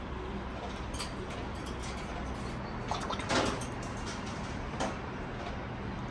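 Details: Indoor hiss broken by scattered clicks and a louder knock or door-like sound, with no animal calls.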